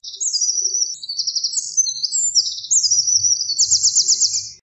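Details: Eurasian wren in full song: an energetic, almost continuous stream of high, bright notes and fast trills ending in a dense rattling flourish, with a faint low background murmur.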